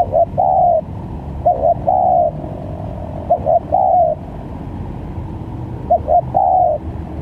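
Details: Varied spotted dove calls for luring birds into traps: four repeated phrases of two brief notes and a longer, softly falling coo, spaced one to two seconds apart over steady low noise.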